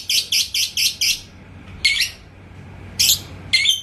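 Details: Yellow labet lovebird in Indonesia, set off by a rival bird's song, utters a row of five harsh, buzzy chirps in quick succession, then a few separate shrill calls after short pauses.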